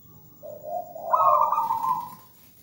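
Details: Single phrase from a singing local wild zebra dove: a soft low coo that steps up into a loud, buzzy trilled high note, then fades.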